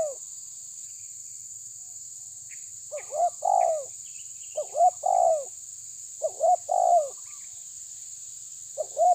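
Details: Spotted dove of the tabir type challenging a rival, giving repeated gruff two-part cooing phrases about every one and a half seconds. A steady shrill hum runs underneath.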